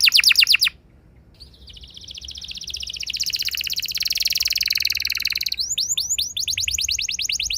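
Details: Young canary's lure song for prompting other canaries into long rolling song: a quick burst of sharp notes, a brief pause, then a long buzzy roll swelling in loudness for about four seconds before crisp repeated downward notes resume.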